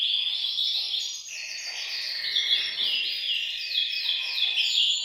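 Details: Group of canaries in a bird room singing at once to spur males into song and ready females for mating; fast rolling trills and chattering phrases stacked over one another, unbroken and high-pitched.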